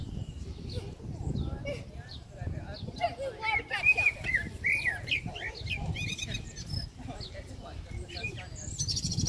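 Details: Common blackbird song recorded in New Zealand: mellow fluted, rising and falling phrases in the middle of the recording, with scattered chirps of other small birds and murmured low-pitched background noise.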